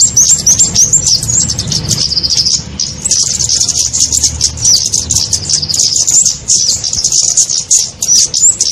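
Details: Small-bird trapping lure of kemade: shrill, rapid high-pitched chattering with short upward-flicked whistles, steady throughout except a brief dip near three seconds, plus low background hum.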